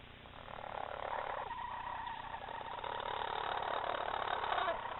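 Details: Hens in a coop growl in low, rough, rattling growls in a continuous grumbling stream, seemingly suspicious of a person close to their chicks. Faint peeping from the chicks may be mixed in with the murmur.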